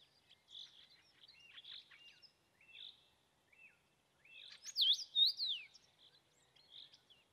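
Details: A common rosefinch sings on a May evening, giving a short phrase of loud, clear slurred whistles that rise and fall. Softer scratchy twittering notes come before and after it.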